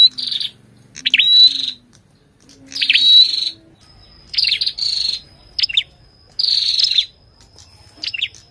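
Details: Ashy tailorbird singing with a female calling alongside: short bursts of buzzy, trilled notes around high pitch alternate with sharp chips, phrases repeated roughly every two seconds, a thin steady tone running through parts.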